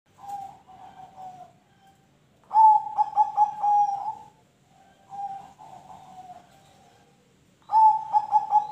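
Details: Zebra dove (perkutut) song, a ring tulus bird, used to prompt other birds to sing; soft rolling cooing phrases near one pitch, each a quick stuttered series of notes trailing into a longer drawn coo, repeated about every five seconds.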